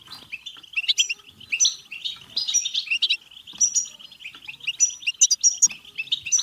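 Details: Excited twittering song of a European goldfinch, 'betbeta' style, intended to prompt singing and mating. Chattering runs rise into ringing high notes, layered on a steady thin trill throughout.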